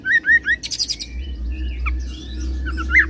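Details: Oriental magpie-robin singing a cililin roll that runs into serindit imitation: three quick upslurred whistles, then a burst of harsh high buzzy notes, and a lone whistle at the end over a low background rumble.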